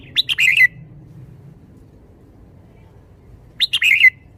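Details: Red-whiskered bulbul kept in a cage performing its 'shaking the bottle' style of song, two brisk chirpy phrases of tumbling whistled notes with a falling tail, separated by a quiet three-second gap; soft background rumble.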